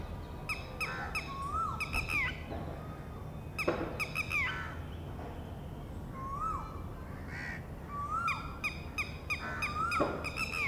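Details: Female red-wattled lapwing calling from a distance near a ground nest as one of four eggs hatches, warning the wet new chick of possible predators: loud, harsh, repeated sharp notes in rapid bursts, with softer rising whistles between and a steady rushing background.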